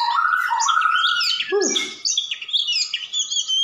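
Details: Gacor song of a white-rumped shama: steady warbling whistle at first, then high varied chips and slurred notes, with a brief lower swooping sound in the middle.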